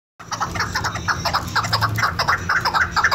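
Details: Female chukar kept for hunting gives a rapid series of clucking chuck notes, about two per second, in uneven rhythm, over a steady low hum.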